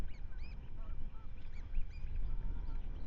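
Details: Ospreys at their nest in Manton Bay, Rutland, on 10 May 2025, caught by a live webcam: series of short arched, yelping chirps with harmonics, several per second, over a steady low rumble of wind or water.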